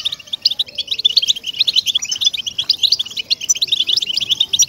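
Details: Recording of European goldfinch song used to make captive goldfinches sing: sprightly, rapid chirping and trilled twitters flowing continuously, with faint low tones behind.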